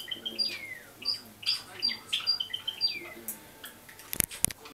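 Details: Java sparrow chicks 30 and 32 days old, January 2012; short thin whistled notes and slurred chips spaced irregularly, ending with two sharp clicks.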